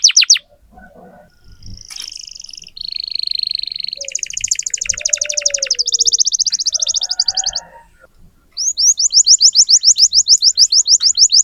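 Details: Atlantic canary song in a tutoring recording for young canaries: short buzzy phrases and high rapid rolls, with soft lower chirps beneath. A brief pause follows, then a fast, evenly pulsed high trill.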